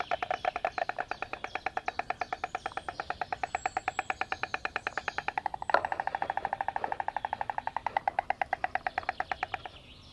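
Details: White stork (Ciconia ciconia), bill clattering.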